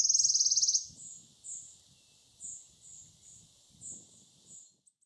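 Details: Wood warbler singing at Gilfach Nature Reserve in mid-Wales, June 2024, heard before the bird was spotted. A loud, fast, high shivering trill lasts under a second, then fainter thin high notes follow at roughly half-second intervals.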